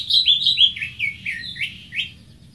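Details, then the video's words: A greater green leafbird sings a quick, varied run of sweet, chirping high notes, some rising and some falling, about three or four a second, over a faint low hum. "Greater Green Leafbird (Bird Singing 74)"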